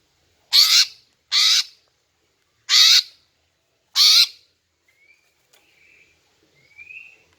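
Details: Calls of a female greater green leafbird, used to entice males into answering: four loud, harsh, buzzy squawks at uneven intervals, followed by soft, thin, rising whistles from another bird in the background.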